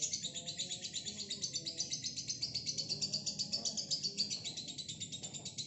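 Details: Single female lovebird, a fighter, sustaining a long ngekek: a rapid, shrill chattering trill of tightly spaced pulses held steadily throughout.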